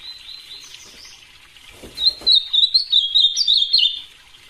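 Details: Ultramarine grosbeak delivering a rapid run of sweet, slurred whistled notes over about two seconds, preceded by faint soft chirps and a brief rustling or knocking noise.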